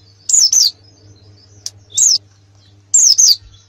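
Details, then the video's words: Canary in a master-song recording for preparing competition birds: three short, separate pairs of high, falling chirps, spaced by quiet gaps, with a faint low hum. "Masteran kenari terbaik untuk persiapan lomba nasional"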